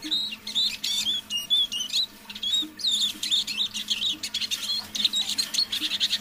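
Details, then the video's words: Eurasian siskin, a tame decoy bird, singing softly in the evening: high twittering phrases and slurred whistles, a brief pause near the middle, then a denser, faster rattling run to the end, over a low background hum. "Песня моего манного чижа"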